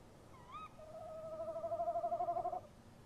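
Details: By a nest box on a March night, a tawny owl gives a brisk rising call. Its mate follows with a drawn-out quivering hoot of nearly two seconds that wobbles steadily before stopping.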